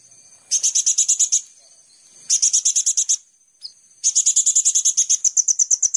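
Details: Sunbird known as kolibri ninja, lure recording to spark singing in caged birds: three bursts of rapid high buzzy chips, the last one longest, with a single short whistle between them.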